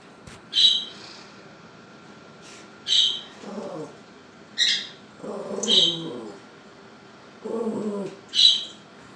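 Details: Pet Quaker parrot, a female, flying down to the floor to tease the household dog; short harsh squawks repeated every one to three seconds, mixed with low grumbling growls and whines from the dog.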